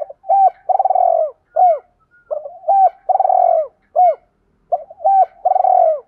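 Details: Spotted dove giving 'thổ'-style urging coos, played to stir decoy birds: three quick phrases, each doubled hoots leading into a long burry downslurred coo and a closing curved note, in a clean recording.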